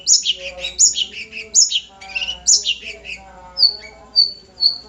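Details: Long-tailed shrike, known as cendet nogosari, singing a varied phrase of scratchy descending notes, then a series of short high whistles repeated about every half second.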